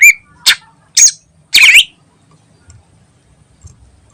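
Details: Greater green leafbird in ngentrok song used as a lure: four loud, harsh chattering notes spaced about half a second apart, the last one longest, followed by quiet.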